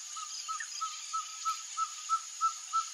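Ferruginous Pygmy-Owl giving a steady series of short, clear whistled toots, about three per second and growing louder, over a high steady insect hiss.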